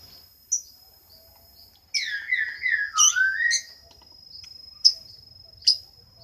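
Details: Lovebird giving shrill, harsh chirps: an isolated high note, then a rapid run of buzzy descending squawks sliding downward, followed by a few sharp high chirps, over a faint steady high-pitched whine.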